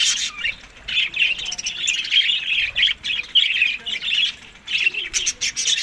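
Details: Budgerigar parrots eating seasonal food in May–June, Larkana, Sindh; busy squawking chatter in long runs, broken by brief quiet gaps before more squeaky warbling resumes.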